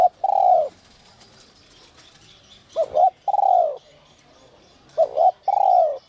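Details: Spotted dove in the 'whistle voice' (giọng còi te te) style, used to rouse wild doves: a clipped two-part coo, then a long, falling, mellow note, repeated three times about every two seconds, with faint high chirps behind.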